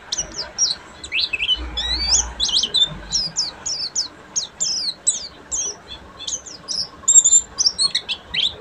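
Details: Oriental white-eye, buxtomi variety, pouring out full ngeriwik song: dense, hurried sequences of shrill, downward-sliding chirps and trills over nearly nine seconds, brief low hum early on.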